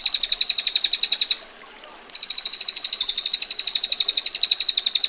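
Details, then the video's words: Ngetir song of a female bar-winged prinia, tight, sharp and coarse: a fast high rattle of buzzy notes, broken by a short pause of under a second, then resuming as an unbroken trill to the end. "Prenjak Betina Gacor Ngetir Rapat Tajam Kasar Roll Panjang"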